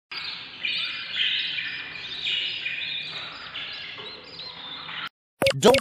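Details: Ten-day-old budgerigar chicks, hungry inside a nest box, give a continuous raspy, buzzy chatter of overlapping begging calls, asking to be fed.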